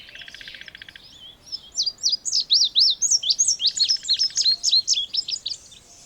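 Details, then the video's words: Singing Indigo bunting delivers a long, lively string of sharp, high, slurred whistles, some in quick pairs, with a rattling buzzy trill from another bird underneath at the start and middle. "Canto do Bandeira Índigo ou Estamenha Índigo"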